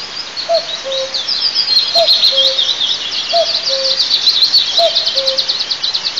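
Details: Near a camera-monitored eagle nest at Altynychi, south-east Tatarstan, on 9 May 2024, a common cuckoo repeats its falling two-note call four times at even intervals while other small birds sing and chirp loudly in the background.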